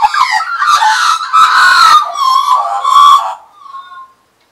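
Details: Australian magpies perched on a person's arm and knee in 2015 give a loud, continuous carol of rolling, gliding warbles with harsh overtones. It tails off into soft, high whistled notes.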